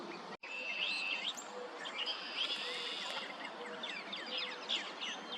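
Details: Northern mockingbird singing at sunset, varied bright phrases with whistled notes and quick chirpy slurs over a steady high-pitched hiss of insects or background noise; cardinals also present.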